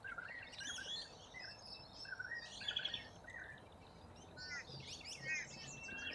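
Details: Corellas in a large flock feeding from root grass in Australia; scattered short chirps and grating calls from many birds, a brief rapid trill near the middle, against a steady rural hiss.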